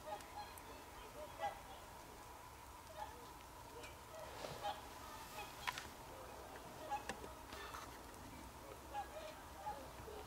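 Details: Whooper swans in winter, 24 December 2020, keep up scattered short honks every second or two throughout, with a few louder clicks and a broad noisy burst midway over continuous background hum.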